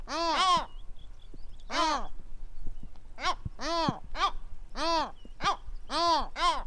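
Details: Pacific Gull in Western Australia giving a loud series of about ten arched, harmonic-rich calls in irregular bursts, some paired closely together, with a low background rumble.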